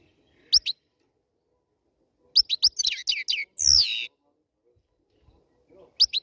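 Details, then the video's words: Black-headed European goldfinch after moulting, singing in bright high twittering bursts: a quick double chirp, then a tumbling run of rapid slurred notes ending in a buzzy downslurred note, with a fresh double chirp at the end; background otherwise quiet. "Черноголовый щегол после линки"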